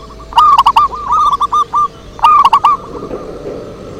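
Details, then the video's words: Zebra dove lure song with two phrases about two seconds apart, each a loud, clipped burst of bubbling coos that trails off into gentler, rolling notes. "Suara Merdu PIKAT PERKUTUT"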